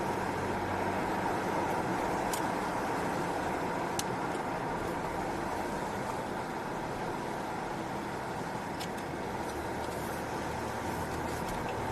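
Steady vehicle and traffic rumble with a few brief clicks, and no animal voices.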